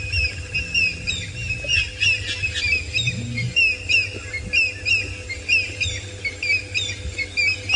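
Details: On a morning safari drive in South Africa, 13 January 2018, several nesting African grey hornbills in a tree give thin, piping territorial whistles about once a second, overlapping in a dispute, over a low engine rumble.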